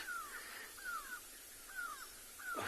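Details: Grey Go-away-bird in South Africa calling and shouting in alarm at a female leopard moving through thicket in late afternoon: four nasal, downslurred cries, evenly spaced about two-thirds of a second apart, over faint bush background.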